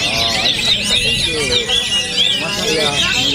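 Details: Orange-headed thrush competing at a bird contest in Jogja, having travelled from Bali, pours out a rich, rapid, varied song of high whistles and chatter, overlapped by other songbirds and crowd voices.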